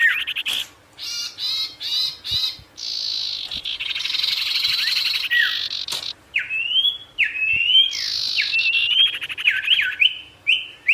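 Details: Sirtu bird in full variation song intended to make wild birds respond: stuttering buzzy bursts, a long rasping phrase, then a quick series of falling whistled slurs.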